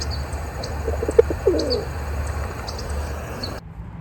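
A Rock Pigeon gives a soft, low, throaty coo with a brief rolling swell, while thin high chirps of small birds and a steady low hum run underneath.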